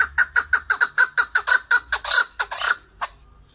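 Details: Chukar partridge, or keklik, with a rapid, even run of ringing chuck notes, roughly four per second, slowing and fading into a few scattered notes before stopping.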